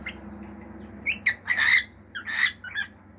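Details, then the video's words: Pet male cockatiel producing short harsh squawky notes and a brief whistle, loud bursts over a steady low hum. "CALOPSITA MACHO CANTANDO CANTOS NATURAIS, FIU-FIU, ESTALINHOS ENTRE OUTROS"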